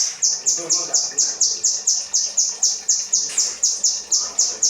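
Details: Kinoi song given as 'rambatan' tutoring material for cage birds: evenly spaced high, piercing chirps, roughly four each second, each falling slightly in pitch, over a quiet background.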